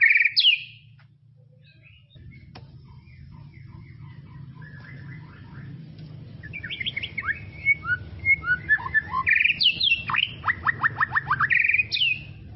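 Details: Tropical forest white-rumped shama giving a short whistled phrase, then after a quiet spell a rapid run of sharp chipping notes and loud ringing whistles repeated several times, with a soft low hum throughout.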